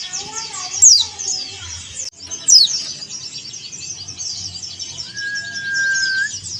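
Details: Male yellow-breasted Bali white-eye calling a rival: sharp descending whistled sweeps at about one and 2.5 seconds over dense high twittering, then a long steady mid-pitched whistled tone near the end.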